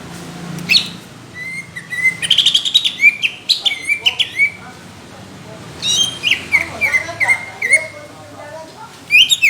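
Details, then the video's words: Greater green leafbird in competition song with rough, heavy 'tembakan' bursts: dense rattling chatter, whistled slurs and rapid clipped notes in two long outbursts separated by a short pause. "CUCAK IJO INCARAN JURI | TEMBAKAN KASAR DAN TEBAL"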